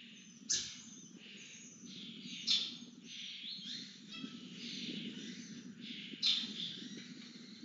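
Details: Begging lesser kestrels during feeding: a hissing background of screeches broken by three louder, sharp squeals spaced a couple of seconds apart, with low steady noise below.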